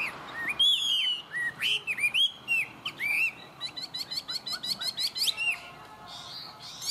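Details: Chinese hwamei, tame and a good singer, gives several slurred whistles, then a rapid repeated series of short clipped notes forming a trill-like run before falling quiet.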